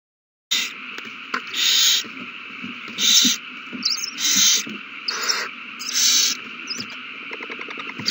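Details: Owls at a nest on 21 March 2020, one finding a mouse and passing it to another as a food frenzy begins: about six loud, rasping hiss bursts, each near half a second, with quieter hissing and a fast buzzy ticking toward the end.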